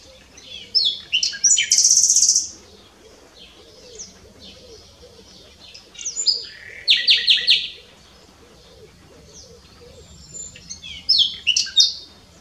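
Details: Nightingale song recorded at s'Albufera on Mallorca, 2017: separated phrases of varied whistles, a loud buzzy trill, rapid repeated clicking notes and a final twittering run, with silent pauses between phrases.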